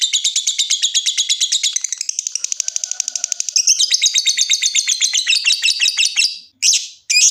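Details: Lovebird song beginning in the ticking style (ngetik) and moving into long trilling (ngekek), used as a lure to get other lovebirds trilling: rapid high, sharp chirps, then a denser, faster chattering trill that breaks off in short bursts near the end.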